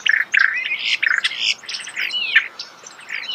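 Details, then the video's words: Starling song at close range outdoors: a dense, chattering stream of squeaks, whistled slurs and brief buzzy notes with hardly any silence. "The song of the starling"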